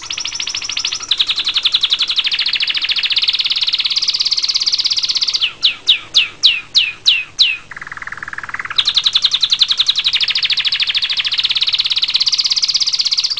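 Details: Canary song of fast, high trills that change level every second or two, broken by a series of sharp, downward-sweeping whistles and a lower buzzy roll, then rapid trilling again.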